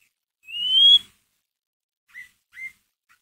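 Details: Shama lure sound (murai batu ngeriwik) for stirring another bird's emotion: a single long rising whistle followed after a pause by two short soft chirps.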